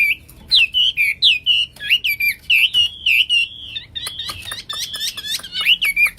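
A Hwamei sings a loud, continuous run of rich whistled phrases, looping and slurred, packed with quick chattering notes and repeated twice a second.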